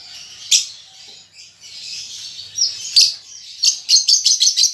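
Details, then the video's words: Young lovebird learning to chatter: soft scratchy buzzing that builds into a rapid run of sharp shrill chips near the end, about three per second. "Lovebird Paud Baby Balibu Muda Belajar Ngetik Ngekek"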